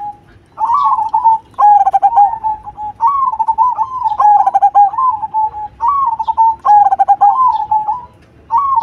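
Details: Cemani-variety zebra dove singing steadily with a loud voice: a continuous run of bubbling, undulating coo phrases, each about a second long, following one another almost without gaps, with faint high chirps in the background.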